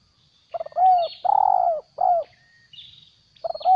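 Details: Spotted dove decoy bird, a stuttering-type caller taken out for trapping wild doves and moulting its tail: a stammering burst of short notes running into broad hoarse coos, repeated in clusters, with faint higher chirps of other birds.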